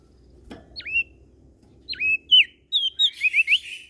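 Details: Singing prenjak daun (prinia) from Lombok, NTB, a bird described as singing morning, noon and night. Spaced, sharp V-shaped whistles speed up into a quick series of high, rising, whistled chirps. A single knock is heard early on.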